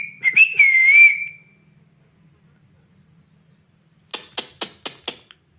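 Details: A parrot makes a wavy, slightly falling whistle, then after a pause, five sharp clicks in quick succession.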